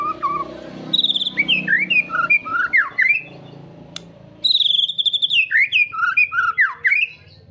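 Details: White-rumped shama song used to prompt a caged bird into its full repertoire: two rich phrases of clear whistles, each opening on a high held note and then tumbling through descending, looping slurs, over a faint low hum.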